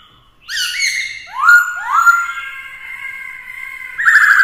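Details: Black-throated laughingthrush singing in many voices to provoke rivals, a female present to excite the male: loud rich whistles with rising swoops, then long level whistled notes and a bright closing phrase.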